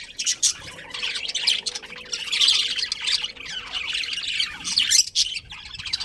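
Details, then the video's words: Budgies in a breeding colony keep up steady high chatter, overlapping chirps and squawks with brief louder peaks, a short lull just after five seconds, and a faint low hum beneath. "Cute Budgies Chirping Sounds"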